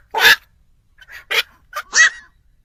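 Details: Black-crowned night heron lure call for night bird trapping: a few scattered, coarse barking notes, one loud and two softer, with quiet gaps.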